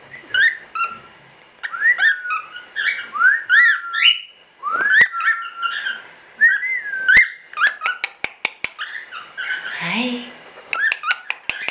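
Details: Cockatiel performing its courtship display, singing a lively series of clear rising whistles and warbled phrases, punctuated by sharp clicks and a few rough chattering notes.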